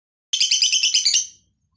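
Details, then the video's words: Lovebird from Aceh, Indonesia, giving a single brief burst of about eight fast, shrill, scratchy chattering notes that fades out at the end. "Love Bird Gacor Aceh"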